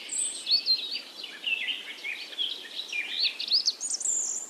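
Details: Wild birds chirping: a busy, continuous tangle of thin high twitters and short squeaky phrases, some notes very high, over a steady background hiss.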